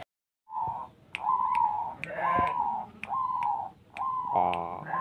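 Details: A zebra dove singing in the ketetan style repeats soft, mid-pitched cooing notes about once a second, each held briefly and even in tone, with sharp clicks marking the start of several notes.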